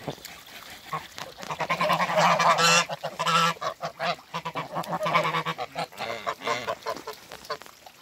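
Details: Toulouse geese, a mature couple, greeting each other after being moved; loud, harsh, rapid honking builds into dense overlapping bursts, then eases into shorter separated honks.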